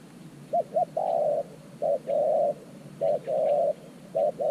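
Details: Decoy spotted dove, newly acquired, calling from an earthen trap to lure wild doves. It gives two quick low coos, then a string of short-then-long coo pairs with faint chirps in the background.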